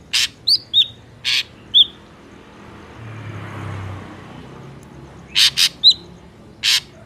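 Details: Ashy drongo recorded in nature, its song used as a lure for trapping: harsh, buzzy rasping bursts alternating with short clear whistled notes, a quiet gap with low rumble midway, then more rasps and a whistle.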